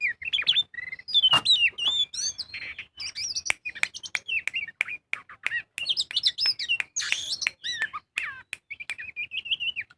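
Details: Magpie-robin (kacer) lure recording in full 'ngobra' style, meant to get birds singing: continuous rich medley of whistled slurs, buzzy bursts and sharp clicks, high and varied, hardly pausing across ten seconds.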